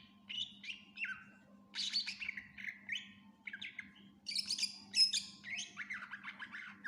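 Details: Greater green leafbird singing a full-isian gacor tutor song: bursts of scratchy warbled phrases and dropping whistles, separated by short pauses, then a dense high chattering outburst, all over a faint steady hum.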